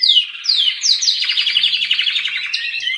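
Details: Canary song opening with several descending whistled swoops, then a fast, even trill of rapid repeated notes.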